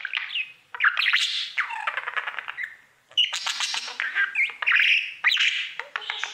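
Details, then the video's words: Pet budgerigar singing to its mirror, a long chattering warble of squawky notes, rapid clicks and rising whistles in bursts between brief pauses. "Budgie sounds | Cookie and his Mirror singing"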